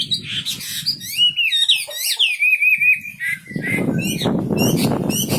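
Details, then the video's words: Wambi bird in full song, with fluid sliding whistles and a wavering trill, then a loud burst of broad rustling noise that masks the end. "Burung wambi istimewa gacor full"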